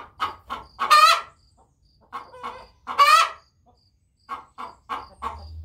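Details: A Wyandotte hen, which rarely sings, gives her song: short, soft clucking notes interspersed with two louder, drawn-out, wavering calls, the phrase repeating after a pause.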